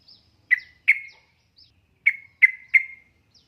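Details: Female yellow-vented bulbul in breeding condition calling to a male, used as a lure to set reluctant males singing: five short bright chirps with fading tails, given in two loose groups, plus faint high ticks between them.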